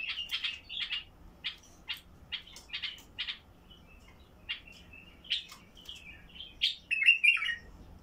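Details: Bulbul from Basra with a heavy, deep-throated song, used to prompt caged bulbuls to sing: short bursts of rich warbled phrases around mid-high pitch, repeated with brief pauses, ending in a louder twittering flourish.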